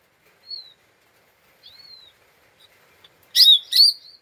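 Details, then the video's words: Lesser green leafbird giving an agitated 'ngeriwik' lure call meant to provoke other birds: two thin descending whistles, a faint chip, then two loud harsh rasping bursts near the end, with no background noise. "Pancingan Cucak Ijo Mini Cimin Malasa bunyi / ngeriwik / Emosi tidak stabil"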